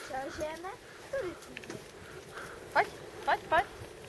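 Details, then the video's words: Alpine chough young being fed on the Dachstein beg with three sharp, squeaky, rising-and-falling calls in the last two seconds, after a stretch of murmured human voices. "Krmení kavčat"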